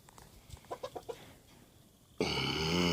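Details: Domestic rooster, on its first time being let out, a bird said to crow all day: a few soft short pulsed notes, then a loud, harsh, richly harmonic crow bursts in abruptly and holds to the end.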